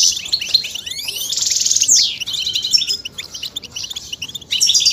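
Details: European goldfinch song to stimulate singing: rapid twittering with upward sweeping whistles, a dense buzzy rush in the middle, then chattering phrases resuming after a short pause.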